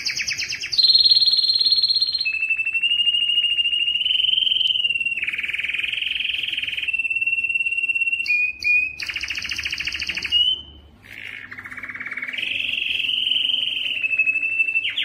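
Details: Male canary singing in a canary room: a high bright trill opens, then long rolling trills hold a mid-high pitch and shift between tours of different speed, with a brief drop-off near the end before the rolling resumes.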